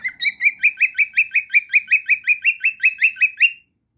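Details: Cockatiel song: a steady series of short, upslurred chirps, about three per second, each rising slightly. The series lasts three and a half seconds and is followed by silence.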